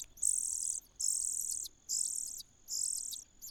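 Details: Common cuckoo chick in a host nest, begging: long hissing, sibilant high-pitched bursts, each about half a second, repeated roughly once a second with short gaps and steady loudness.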